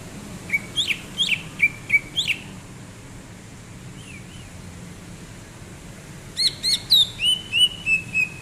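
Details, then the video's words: January 2022 recording of a relaxed greater green leafbird: a lively volley of bright, flicking whistles, a quiet gap with one faint slurred note, then a longer run of ringing whistles that drift lower in pitch; steady hum beneath. "Kicauan Cucak Ijo saat nyantai"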